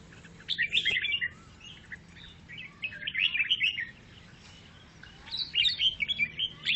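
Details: Grey-cheeked bulbul chattering: three dense bursts of rapid, scratchy, warbled notes with quiet gaps between them, over a low hum.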